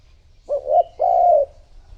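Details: Lure call of a decoy spotted dove meant to draw in other doves: one low two-part coo, a short note followed by a longer, drawn-out mellow note, on a quiet background.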